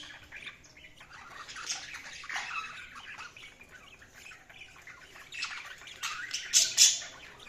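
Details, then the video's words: Budgerigars chirping: continuous scratchy, buzzy chatter with rapid twittering notes, louder harsh squawks breaking through near the end. "Budgies Chirping sound"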